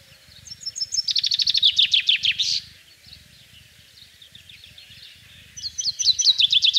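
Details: Common chaffinch singing on 24 March 2012 in rural central France in spring: one complete descending rattling phrase ending in a flourish, then a pause with soft distant chirps, before the next song begins.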